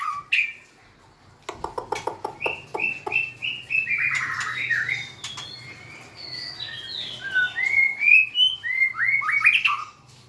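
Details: White-rumped shama song opening with a burst of sharp clicks, then a long flowing series of varied whistled notes, slurred and rising, some high and thin, in a quiet indoor setting.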